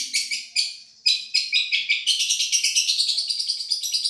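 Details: Long-tailed shrike of Madura in a tutoring recording of champion-style song: scratchy separated bursts, then a quick, even run of chattering pulses roughly five or six per second.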